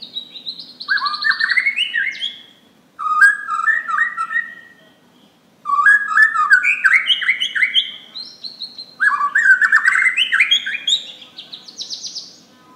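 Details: Borneo white-rumped shama singing loudly, a song used as a lure for other birds: four bursts of fast stepped whistles climbing in pitch, each phrase rising to a high trill, with short pauses between.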